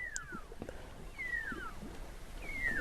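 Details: A Pearl-spotted Owlet calling in daytime in Botswana, near zebras at a waterhole: three clear, falling whistles, each sliding down in pitch, about one every 1.2 seconds, over a low outdoor rumble and faint clicks.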